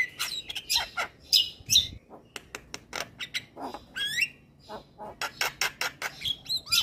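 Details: Singing male Javan myna with white eyes, played to prompt quiet mynas to sing; sharp clicks and squawks give way to whistled upward sweeps and rapid chattering bursts.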